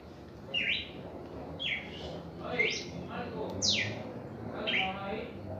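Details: Red-crested cardinal's first reaction song, softer whistled slurs rising and falling at roughly one-second intervals, partly blurred by background noise.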